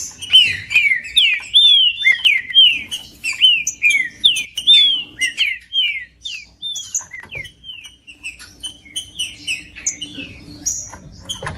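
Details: Green-winged saltator song played to warm up a cold caged bird: loud, clear slurred whistles, mostly downward-sweeping, in quick runs of similar notes, then higher, sharper chirps and thin notes toward the end.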